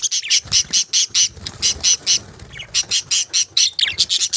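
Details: Tiny budgies give a fast run of harsh, high, squawky chirps, about three per second, steady apart from a short pause midway, with a few thinner notes near the end.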